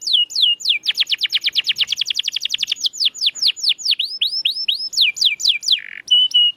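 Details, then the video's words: Captive canary singing as a lure to get silent birds singing again: rapid trills of downslurred notes, then slower repeated sweeping notes and a short buzzy note near the end, all clear and high. "Kenari Gacor‼️Masteran Handal Pancingan Burung Bisu Agar Cepat Gacor Lagi"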